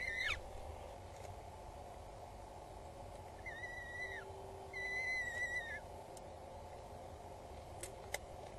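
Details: Two peregrine falcon chicks on a nest at Axel Tower in the Netherlands, 19 April 2022 at 12:43, as the mother arrives with food and feeds them; thin, whining whistled calls with harmonics in short bursts over steady background hum.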